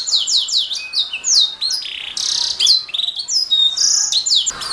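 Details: Energetic canary song recorded as a master for songbirds to learn, rapid repeated downslurred notes interrupted by short buzzy trills and rolling phrases, with a faint knock at the close.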